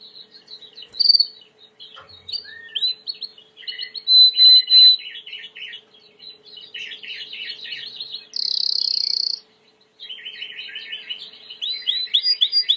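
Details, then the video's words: Singing white Timbrado canary used for training, an aviary bird: varied rolling trills and chirps, a loud pulsed burst near the middle, a bright sustained metallic tour, then more rapid rolling phrases; faint low hum throughout. "Chant de Canari timbrado / the wonderful sounds of canary bird chirping / canario timbrado cantando"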